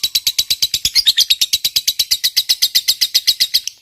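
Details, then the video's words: Lovebird fighter's long ngekek, used as a provoking lure: a rapid stream of harsh high chattering notes, speeding slightly midway, then fading out at the end. "Suara Burung Lovebird Ngekek Panjang, PINTAR Memancing EMOSI, LB Bisu SUSAH BUNYI Langsung NYAUT"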